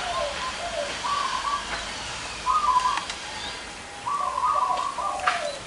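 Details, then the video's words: Several zebra doves with large and small voices gathered at a trapping location; three bursts of rapid, rolling coos at a steady mid pitch, roughly every one and a half seconds, with a steady hiss and occasional sharp chirps of other birds. "PERKUTUT SUWARA BESAR DAN KECIL NGUMPUL DI LOKASI INI"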